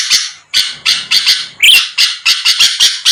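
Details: Sooty-headed bulbul singing hard as bait for rivals: choppy bursts of harsh, scratchy notes, roughly three or four per second, with one bright upward whistle midway.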